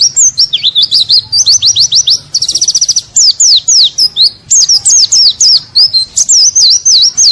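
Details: White-eye song in a training-style recording: rapid, high, varied whistled phrases of swooping and rising notes, with a brief fast trill near the middle, delivered almost without pause.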